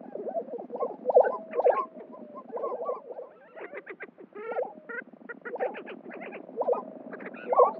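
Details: Lesser Prairie-Chickens at a spring lek in New Mexico, males displaying to passing females: a dense chorus of mellow bubbling hoots and short gobbling bursts, many birds overlapping, with occasional sharper higher yelps standing out.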